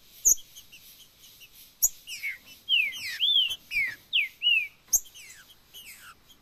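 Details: Green-winged saltator, macheado song used to warm up a kept bird: a run of loud, sweet, downslurred whistles, some looping up then down, with a few sharp clicks and faint background hiss.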